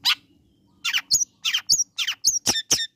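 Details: Long-tailed shrike calling to provoke rival shrikes: a string of harsh grating notes alternating with sharp high squeaky chips, roughly three per second, over a faint low hum.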